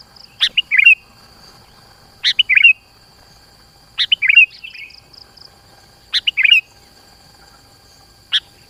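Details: Sooty-headed bulbul lure song meant to draw rival birds in: a short, rich, gurgling whistled phrase repeated about every two seconds, each preceded by a crisp click, against a faint steady high tone.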